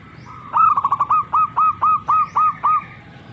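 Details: Zebra dove cooing a clear mid-pitched phrase of about ten quick, rolling notes, each slightly upslurred and evenly spaced, over a steady low background hum.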